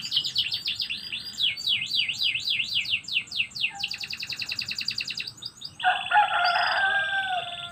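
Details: Canary song in the morning with zigzag trills, a fast even rattle and rapid chirps, ending in a harsher, sustained buzzy note.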